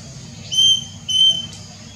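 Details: Plaintive cuckoo recorded 6 June 2022 gives two clear, high, steady whistled notes about half a second apart, over a faint low background hum.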